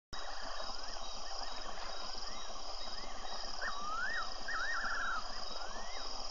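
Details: Fiery-necked nightjar at Tembe, recorded by a wildlife webcam on February 24: clear whistled notes that swoop up and down, then a quavering descending trill, heard over a steady loud hiss and insect-like buzzing.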